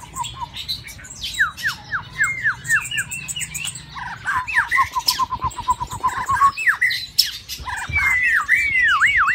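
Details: In a bird cage during the mating season, a white-rumped shama sings descending whistles, then a fast even trill of short notes, ending in looping rising-falling phrases.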